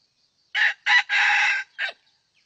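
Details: Red junglefowl crowing during a lure session with a decoy rooster as a wild bird draws near: a broken crow of four harsh bursts, a short opening note, a second clipped note, a long drawn middle syllable and a brief closing note.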